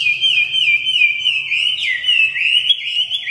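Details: Red-whiskered bulbul fanning its feathers, singing a rapid, continuous warbling run of bright, wavering whistled notes that rise and fall without a break for over three seconds.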